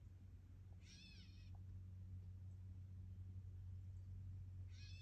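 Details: Gray catbird uttering a drawn-out, cat-like mewing note, then a second shorter mew a few seconds later, with steady low hum underneath.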